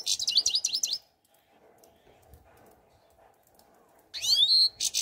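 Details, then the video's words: European goldfinch singing: a fast burst of high twittering notes for about a second, then a pause with faint low hum, then a bright rising and falling warbled phrase with a buzzy trill at the end. "Щегол Пение"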